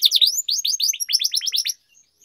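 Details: Canary singing in a training recording of Indonesian kenari song: a quick burst of about a dozen high, rising-falling chirped notes in rapid succession, then quiet.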